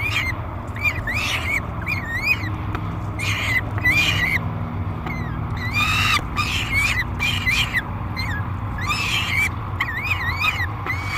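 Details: Noisy, aggressive peregrine falcon nestling begging while fed in a nest box at Great Spirit Bluff, July 3, 2021: rapid series of harsh chittering squeals and rising-falling screams, nearly continuous, with steady low hum beneath.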